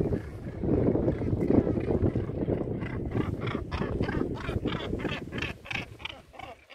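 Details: Northern gannets on Helgoland give harsh, grating calls in quick repeated bursts over a low rumble of wind and surf.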